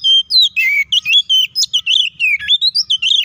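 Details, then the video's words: White-rumped shama delivering a provoking fighting song: a dense stream of clear whistles and warbled notes, some long held tones and quick slurred phrases, loud and continuous. "KACER GACOR NGEPLONG TARUNG KONSLET❗PALING AMPUH BUAT PANCINGAN KACER AGAR EMOSI!"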